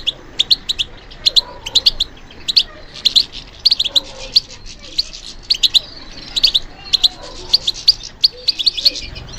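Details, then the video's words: Captive European goldfinch trained for song competitions, singing a lively twittering series of sharp high chirps in irregular bursts over a faint low background hum. "How to encourage the goldfinch to respond to stimulation"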